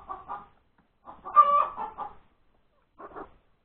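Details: Post-laying call of a chicken hen, January 31, 2021, at breakfast time: a pair of clucks, then one loud nasal squawk trailing into softer clucks, and a final short double cluck after a pause.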